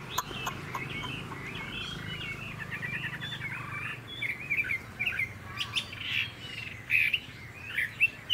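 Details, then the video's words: Caged Chinese hwamei, a songbird kept in Vietnam and praised as a strong singer and fighter, delivering rapid, varied whistled phrases with quick slurs and sharp accents, over a low rumbling background and scattered clicks during the first half. "Họa mi dáng ngũ trường, đấu xòe, hót tốt"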